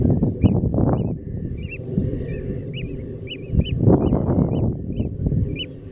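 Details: Shrill, peaked piping of Eurasian oystercatchers on Terschelling, Netherlands, among grass and mud flats. Notes come in irregular clusters with pauses, over a steady deep rumbling noise.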